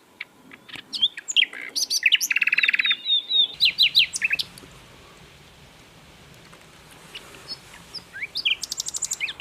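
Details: Asian brown flycatcher singing prolifically: scattered high chirps build into a dense burst of buzzy notes and rapid sweeping trills, a quieter pause with faint hiss, then a fresh run of sharp ticking notes.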